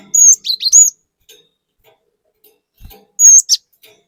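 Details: Cinereous tit lure song for raw birds, meant to provoke them: two bright bursts of high whistled, slurred notes, the first of several rising and falling whistles, a second shorter burst after a pause, in a quiet background.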